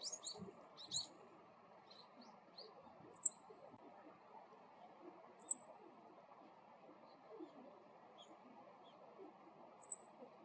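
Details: A male meadow bunting repeats its short ground call, a high paired chip chi-chit, three times at intervals of two to four seconds; a few fainter chirps open the recording over a low constant hum.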